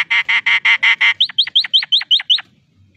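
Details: Nias hill myna in full song, a bird said to mimic human speech: six harsh, buzzy, evenly spaced notes, then seven ringing whistles that each drop steeply in pitch, all within under three seconds.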